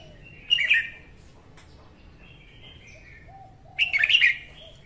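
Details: Morning song of a female red-whiskered bulbul, used for training birds and luring wild ones to traps: two brief warbling whistled phrases about three seconds apart, with faint softer notes in between.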